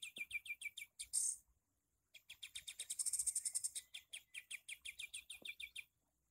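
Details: Tutor bird for songbirds, a torn-beaked Sooty-headed bulbul, singing in the shooting style: a fast series of high clipped notes ending in a brief loud burst, a second of silence, then a longer rolling chatter.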